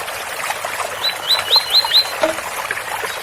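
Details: Double-collared seedeater singing tui-tui in the special Ouro Fino style: five crisp upslurred whistles about a fifth of a second apart, then a short low note, over the soft trickle of a water spout.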